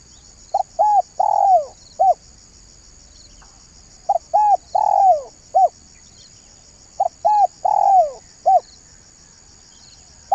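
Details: Spotted dove coo phrase used to lure birds, repeated three times about every three seconds, each a run of four or five mellow coos with a longer drawn-out falling note in the middle, steady high insect buzz behind.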